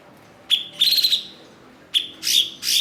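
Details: Blue-winged leafbird, locally cucak cungkok, kept as a master for training songbirds. Two bursts, each a crisp high chip followed by a harsh, buzzing chatter, loud and close with little background sound.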